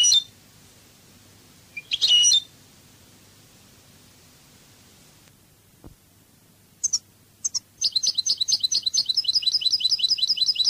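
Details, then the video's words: European goldfinch in Cádiz song style: a few sharp scratchy bursts and clicks, a long quiet gap, then a sustained rapid rolling twitter of repeated notes through the final seconds. "CANTO DE JILGUERO CADIZ شريط لغة الحسون الإسباني قادس"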